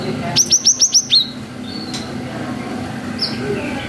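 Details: Cinereous tit giving its long 'wucit' song as a lure to provoke young birds; a rapid even series of five bright high whistles, about five per second, ending in a lower slurred note, then quieter background.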